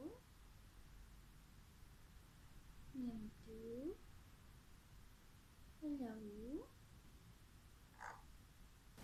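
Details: An Alexandrine parakeet talking in its cage gives two brief, voice-like phrases a few seconds apart, with wavering, rising and falling pitch, then a sharp click near the end.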